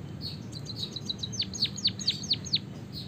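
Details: White-headed Javanese munia singing a long rolling song filled with canary phrases: soft high chirps, then a run of loud, sharply falling whistled sweeps repeated about twice a second, over low background hum.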